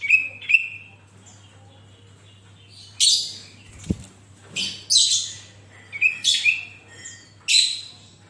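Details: Sooty-headed bulbul singing vigorously, meant to set other bulbuls singing: bright whistled chirps and short rasping bursts in clusters, with a gap of about two seconds and a single soft thump midway.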